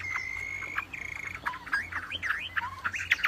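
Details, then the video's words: Wambi opening with a long, steady, high whistle held for most of a second, then a second level whistle, followed by quick downslurred notes and rising-falling chirps, over a low continuous hum. "SUARA KICAU WAMBI GACOR"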